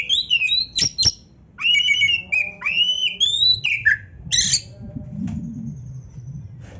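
An Oriental magpie-robin pours out a fast, varied run of high whistles, squeaky slurred notes and sharp clicks, with brief pauses between bursts.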